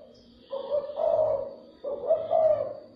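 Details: Spotted dove cooing to excite and draw in other doves, giving two soft, low, throaty phrases in quick succession, each rising slightly into a fuller hooting note; faint high bird twitters behind.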